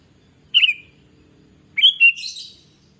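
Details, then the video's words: Sooty-headed bulbul singing vigorously, used as a lure to prompt other bulbuls to sing: two short bright whistled phrases, the second longer and warbling, over a faint low hum. "Kutilang Gacor Pancingan"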